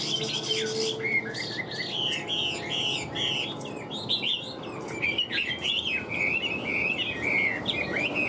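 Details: Caged Hwamei, a prized bird with a stiff fig-leaf-shaped tail kept for singing and fighting, pours out a rich, varied song of rapid whistled slurs and trills, rising and falling without pause, with faint background hum.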